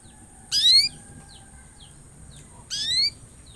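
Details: Canary sounds used to prompt other canaries into song: two loud, bright rising whistles about two seconds apart, with faint short chips between them over a steady high hiss.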